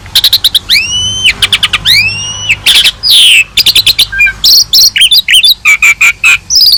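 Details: Asian pied starling in full, prolific song for tutoring other birds' voices, rich varied repertoire: loud upswept and arched whistles, sharp clicks and rasps, fast chirping runs and bright high notes in rapid succession.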